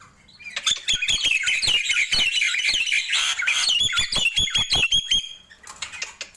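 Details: Nias hill myna singing in the morning, starting after a short quiet moment. A fast, rattling series of squawky notes repeats about two to three times per second, with whistled tones on top.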